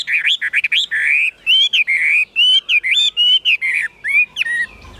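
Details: Chinese hwamei kept in a cage, about 85–90% tame, pouring out a fast, varied whistled song of swooping and looping notes in quick succession, with a brief low rumble near the end.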